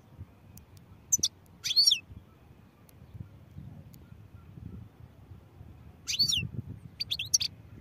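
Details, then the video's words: European goldfinch song in two separated bursts of high, sharp twitters and quick descending slurs, the second phrase fuller with extra chirps, quiet low rumble between phrases. "goldfinch songs | goldfinch singing"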